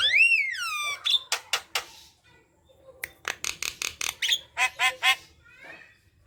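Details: Javan myna song played to coax silent mynas into singing: opens with a long rising-falling whistle, then a series of dry clicks and harsh rasping notes after a short pause.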